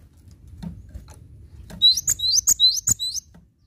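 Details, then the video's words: Gacor singing by a Cinereous tit for masteran. A short rapid sequence of bright upslurred whistles is punctuated by strong clicks, repeated evenly and then stopping. "Masteran Gelatik Batu Gacor Mantap"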